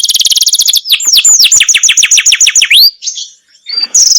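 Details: High rapid trill from a masteran canary gives way to a string of slurred downward whistles, a brief pause, then a few scattered high notes.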